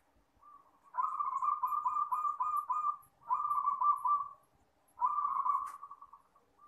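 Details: A local zebra dove singing at night: three soft, rolling cooing trills, each one and a half to two seconds long, with short pauses between, and faint high ticking above them.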